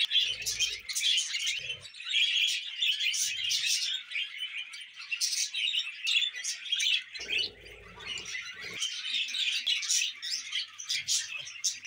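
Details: Pet budgerigars chattering continuously, a dense mix of high chirps, squeaky warbles and scratchy notes, with occasional low rustling or wing-flapping sounds.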